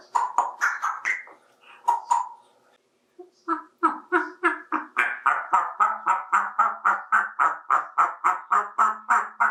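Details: Male African Grey parrot, 28 years old and adopted, talking while playing with toys in a bathtub: scattered chatter, a brief pause, then a long steady run of rapid, evenly repeated guttural syllables, about four per second.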